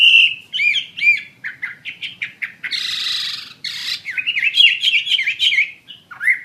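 A Chinese hwamei sings a loud, rich, varied run of whistles, slurred notes and rapid trills, mixed with a few harsh buzzy bursts, all high-pitched.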